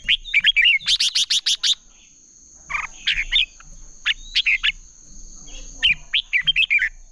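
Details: Competitive singing of Red-whiskered bulbuls, played as a lure to train birds: a burst of fast, chirpy notes gives way to a rapid stuttering trill of about six strokes, then scattered whistled, warbling phrases after a pause.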